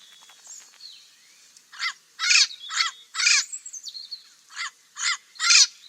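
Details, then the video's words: Parrot calls: a run of harsh, raspy squawks, about two per second, comes after a quieter start with faint whistled notes in the background. "Sonido del loro"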